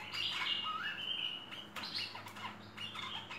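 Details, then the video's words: Chattering merbah lekir bulbul song for training birds: a loud burst of chirps, a rising whistle, then scattered short sharp notes at an uneven fast pace, with low hum beneath. "Masteran Merbah Lekir Full Isian"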